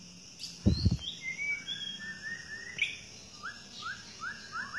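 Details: A wild white-rumped shama (Medan variety) in forest sings a varied run of clear whistles, slurred notes and short rising phrases, with a brief low thump near the start.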